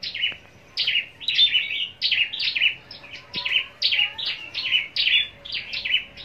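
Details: Contest-trained scarlet-backed flowerpecker in captivity at Long Thành, Vietnam, singing competitively: a near-continuous string of about twenty thin, high chips, each sliding downward, delivered in quick uneven clusters.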